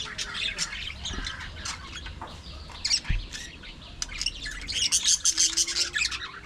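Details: Budgerigars in an aviary colony giving dense, overlapping high chirps, squawks and warbling chatter, with several louder calls near the end.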